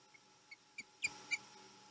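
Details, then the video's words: Osprey at a Chesapeake nest on 22 March 2020, as the male returns home, gives a series of short, sharp, whistled chirps spaced roughly a quarter second apart, getting louder, with a faint steady background hum. "Welcome home, Tom - Chesapeake Osprey Nest"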